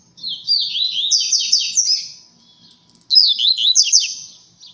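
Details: Blue-black grassquit singing its strong 'tui tui zel zel' song while disputing with seedeaters: two buzzy, high phrases of quick descending slurred notes, each about two seconds long, separated by a short pause.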